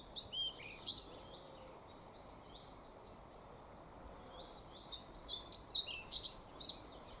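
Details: A male European pied flycatcher in woodland at Gilfach Nature Reserve, mid-Wales, in May 2024, announces his presence with two short, high, sweet phrases of quick rhythmic notes about four seconds apart, over a soft hush.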